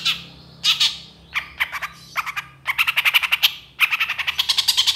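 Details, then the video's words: Long-tailed shrike (cendet) in energetic, fill-in-rich song used as training material for songbirds; rasping buzzy bursts and fast stuttering runs of clicky notes in quick succession. "SUARA CENDET GACOR DOR FULL ISIAN TEMBAKAN"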